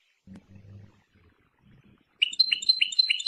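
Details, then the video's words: European goldfinch song, named Persian goldfinch: soft low thumps and murmurs at first, then a short burst of quick, bright twittering notes repeated rapidly at the end. "Persian goldfinch songs اواز سهرهاي اروپاي"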